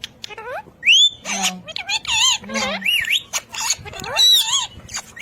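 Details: Loud, continuous speech mimicry from a ring-necked parakeet: wavering, voice-like harmonic syllables packed closely together, with a clear rising whistle early on and a few low grunting sounds.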